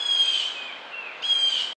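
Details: A jay gives a harsh, raspy, rich-toned call with distinctive extra harmonics, running under two seconds with a second surge near the end; no other sounds intrude.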